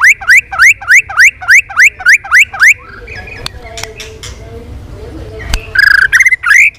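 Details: Competitive singing by a White-rumped shama: a regular series of rising whistled slurs, roughly three per second, then a quiet pause with faint clicks before a few loud notes return.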